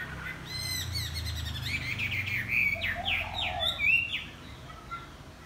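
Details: Chinese hwamei (Garrulax canorus) singing in the morning while flapping its wings: a rich, fast run of loud whistled phrases that swoop up and down, over a low muffled rumble early on.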